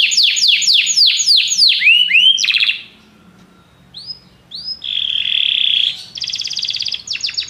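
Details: Canaries singing in chorus after music: a fast series of descending whistles and a rattle, a short pause, then rising notes, a buzzy trill and pulsed tours.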